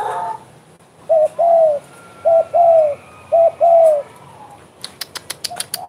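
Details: Spotted dove, vigorous singer (derkuku gacor), cooing in bekur style: three paired phrases, each a short hooked note then a longer falling coo, spaced about a second apart, ending with a burst of rapid sharp clicks.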